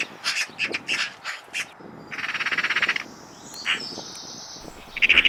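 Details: Eurasian magpie giving harsh, rattling chatter: short noisy bursts, then a fast buzzy rattle of about a second, followed by quieter scratchy notes and a final rattling burst.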